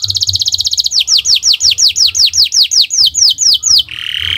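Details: Canary tutor song in the owor-owor style, a quick high trill turning into a run of loud, evenly spaced falling whistled notes, ending with a softer rough buzz.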